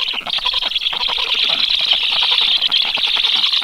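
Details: Chicks of the black stork chatter reflexively at the nest on 13 July, preparing for a feeding that never comes as an unknown stork moves nearby; fast, high, crowded chirps.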